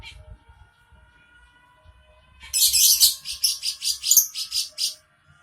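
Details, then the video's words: Lovebird calling after a quiet start: a sudden burst of about nine sharp, high squeaky chirps in quick succession over two and a half seconds, then silence. "Love bird"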